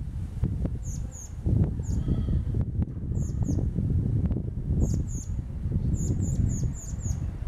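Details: Young common blackbird begging while the male feeds it pieces of plum: short high thin calls, some in quick doubles and triples, scattered through the clip over strong low rumbling background noise.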